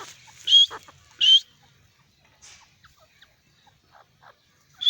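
A francolin gives two loud, harsh, grating notes less than a second apart, then softer scratchy notes and another sharp note at the end.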